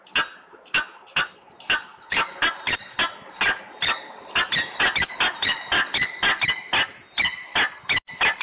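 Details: Quarrelsome peregrine falcon, Włocławek, Poland, 14:22 on 15 November 2020; sharp, harsh notes starting spaced out and quickening into denser rasping bursts toward the end.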